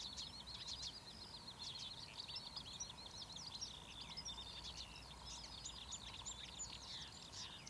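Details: Marsh warbler song from Academy Pools, Cleadon, 6 June 2008: long unbroken stream of quick high chirps, harsh chatters and whistled slides, busy and mimic-like, over low background hum.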